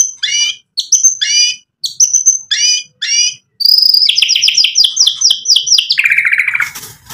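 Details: White-rumped shama song for provoking other birds to respond, a row of descending chirpy notes repeated about once a second, then a rapid run of sweeping high notes ending in a lower buzzy trill.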